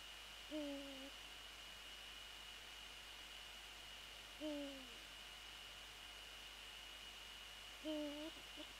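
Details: Eurasian eagle-owl at its nest after dark on 20 January 2014, uttering three brief, low, slightly falling hoots about three and a half seconds apart against a constant thin whine.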